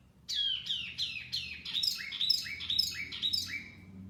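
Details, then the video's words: Lure song of a wambi: a run of about nine loud, sharply falling whistled notes evenly spaced about every half second, over a faint low background hum. "Kicauan Wambi Mini Pikat Gacor"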